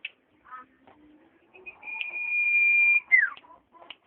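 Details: Common iora song: a long, steady, high whistled note held for about a second, then a sharp downward slur, with soft scattered chips and faint low notes around it; quiet indoor setting.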